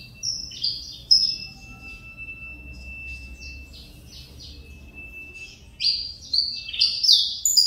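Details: Saffron finch (canário mineirinho) returning to song after a long moult: a few high slurred notes, a long quiet stretch with a steady thin tone, then a louder burst of sharp chirps at the end.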